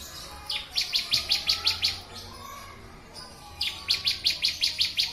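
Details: Bar-winged prinia song for bird training: two bursts of about seven to eight sharp high chirps, fast and regular, separated by a pause of over a second.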